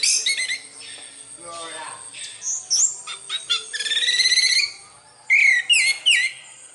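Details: Melodious song of an orange-headed thrush (anis merah), Indonesia: a continuous varied run of chattering notes, trills and whistles, ending in a few loud downslurred whistled phrases.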